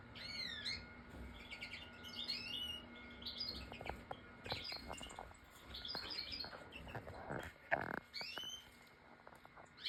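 European goldfinch song: a rapid, tinkling run of twittering notes and bright, rising whistles, with steady low background noise throughout.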